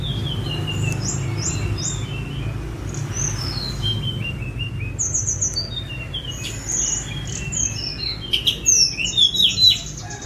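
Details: Sunda robin, a young bird in spotted juvenile plumage, recorded by phone for song tutoring: a rapid run of thin, high whistled slurs, many falling, crowding together toward the end, over a steady low rumble.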